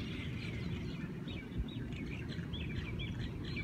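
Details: A Hawaiian morning chorus: one bird repeats a short looping chirp about five times in a row amid softer twittering, over a constant deep rumbling background.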